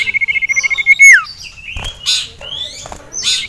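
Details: A male sirtu, aroused at seeing a rival and a female, sings a quick, steady high trill ending in a falling whistle, followed by hissy bursts and thin calls.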